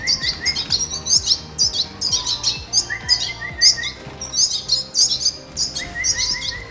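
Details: Baby red siskins calling as they are fed while breeding: dense high twittering chirps with intermittent rapid series of short rising notes, the pulses coming several times a second.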